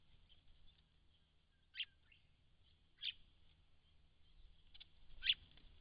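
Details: White-browed woodswallows from a large flock at a pond in December 2016: a few sharp, high chirps spaced irregularly, about one every second or so, over a faint low background hum.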